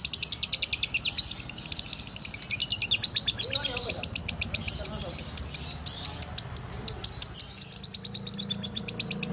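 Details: A group of lovebirds singing together: a long, fast, shrill chatter of very high clicking notes, about two per second, running almost without a break, with faint lower sounds partway through.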